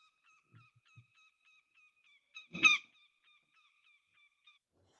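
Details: A Northern Goshawk, an unusually dark bird, gives a faint, steady run of short, thin nasal notes broken by one loud, harsh, wheezy cry in the middle; a couple of soft low thumps come early. The call is called very melodic.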